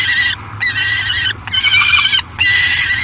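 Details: Young peregrine falcon, 53 days old, at a nest site on Great Spirit Bluff, recorded by a nest camera on 24 July 2021: four harsh, drawn-out, strongly harmonic calls, each under a second long, separated by short pauses, with a low background hum.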